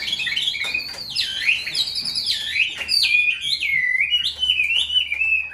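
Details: Caged, hand-tame Chinese hwamei with one white wing feather, kept as a prized songbird, delivering a loud run of clear whistled phrases that swoop up and down, rich and varied, with faint room noise beneath.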